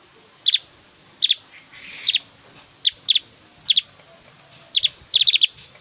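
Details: Javan grey-throated white-eye singing actively, with varied whistles and very loud, long 'tembakan' bursts used for tutoring other white-eyes; short sharp double and triple high chips are spaced about a second apart against a quiet background.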